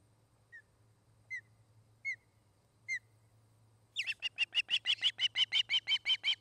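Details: Osprey at a nest near treetops in Charlo, Montana, recorded by nest camera on 29 August 2018: four short, down-slurred whistled chirps spaced under a second apart, then a sudden fast run of sharp repeated cheeping notes.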